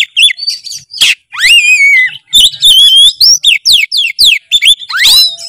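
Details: Vigorous Oriental magpie-robin song for teaching other birds: loud sweeping whistles that rise and fall, wavering held notes and quick chattering bursts, delivered almost nonstop in short varied phrases.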